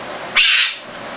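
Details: A Goffin's cockatoo playing with a new rope toy lets out one harsh, rasping screech, high and grating, lasting under half a second against a faint background hiss.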